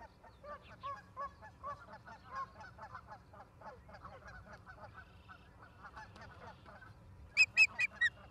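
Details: Ospreys at a nest in Charlo, Montana, 11 September 2023, afternoon, live nest camera: a long stretch of soft, lower chattering calls from other birds, then four loud, piercing whistled chirps in a rapid burst near the end.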